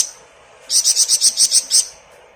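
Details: Energetic ngebren song of a Malaysian pied fantail, meant for training other songbirds: a single rapid run of about eight high, sharp, evenly spaced notes over a steady background hiss.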